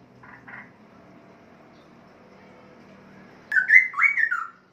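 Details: Caged breeding male Straw-headed Bulbul about three and a half years old, starting to sing fairly well again; a few soft notes, a pause, then a loud burst of rich, gurgling whistled phrases that rise and fall.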